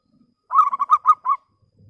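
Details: Local zebra dove, a clear singer used to call rivals, giving a single phrase of six quick bubbling coo notes, with faint low sounds before and after.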